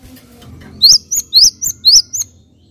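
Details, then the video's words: Java sparrow calls meant to stimulate other Java sparrows to call: six sharp, rising chirps in quick succession, alternating lower and higher notes, over a faint low hum. "AMPUH MERANGSANG BUNYI GELATIK"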